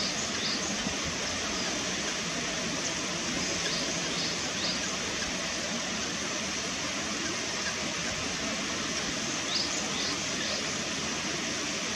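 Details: Steady, dense broadband noise fills the whole stretch, with no clear animal calls.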